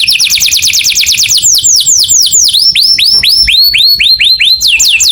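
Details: Canary singing in the morning: loud, fast trills of downward-sweeping whistled notes, first rapid and high, then slower curved notes dropping in pitch, repeated about twice a second, with a faint steady high tone behind.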